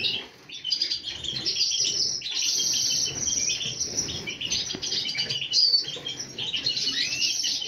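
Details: Several colourful European goldfinches chattering together in a dense, continuous chorus of overlapping tinkling twitters and short buzzy trills, with a light background hiss.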